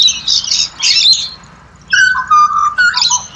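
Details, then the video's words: Australian pied butcherbird singing: a burst of rough, scratchy chatter, then pure whistled notes stepping downward and sliding, followed by more harsh notes. "BUTCHER BIRDS Serenade / Serenata de Pajaros Carniceros"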